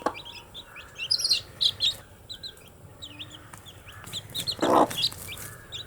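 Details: Baby chicks give loud high peeping chirps in quick clusters, some bright and ringing, with a rustling burst toward the end.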